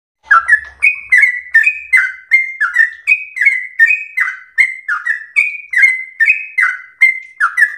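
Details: Sooty-headed bulbul, a house-kept bird, singing in the fast, nonstop ropel slow style used for training other birds: short bright whistled phrases stepping between middle and higher notes, each opening with a sharp attack, repeated a little more than once per second.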